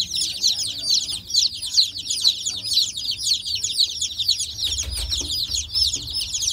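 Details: Baby chicks in a backyard flock of rare-egg-laying breeds, a dense chorus of many high, thin peeps overlapping continuously with no pause, each a short downward-slurred cheep, with faint low rumble beneath.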